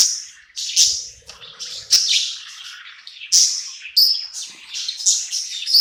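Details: Budgerigar singing at night in a new home, content and happy: a steady stream of high rasping chirps and warbles, punctuated by louder bright clicks every second or so, with faint low sounds early on.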